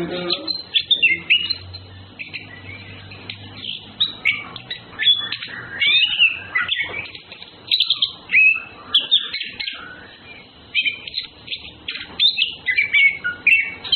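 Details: Orange-headed thrushes (Anis Kembang), males and females courting, pour out a long varied medley of whistled phrases, chirps and quick slurred notes in dense bursts with short gaps, and a low hum early on.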